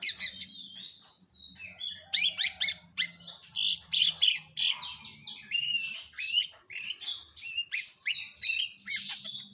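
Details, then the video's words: Long-tailed shrike song for luring other birds: continuous busy chatter of harsh, buzzy and squeaky notes, rich in mimicry-like variety, over a faint low hum. "Pancingan Burung Cendet"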